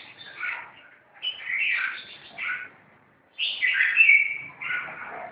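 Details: Red-whiskered bulbuls in a fight: three loud, harsh, chattering phrases with buzzy upward sweeps, a near-silent gap, then a final strident burst.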